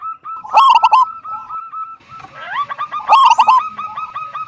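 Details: Local zebra dove singing in a big-voiced 'kung' style meant to lure other doves into song. Two strong bursts of fast throaty coos, surrounded by steady chains of short repeated notes.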